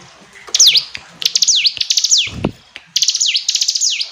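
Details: Hill prinia singing: high, clear notes that swoop sharply down then up in V-shaped strokes, given in short bursts with brief pauses and a few rapid ticking elements between phrases.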